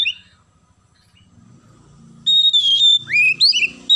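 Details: Loud Oriental magpie-robin song with sparrow mimicry: a short whistle, a lull with low murmuring noise, then a strong sustained high whistle and quick descending and rising whistled phrases.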